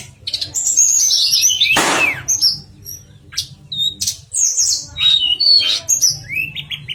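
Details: Pied fantail singing as contest training material: high twittering and short whistles, one loud noisy burst early on, then scattered sharp notes and rising slurs.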